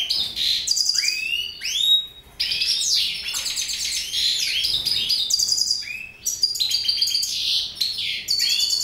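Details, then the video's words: Long run of mutation goldfinch song: tinkling twitters, upslurred whistles and buzzy trilled notes tumbling together, with brief breaks between phrases. "Mutation Goldfinches"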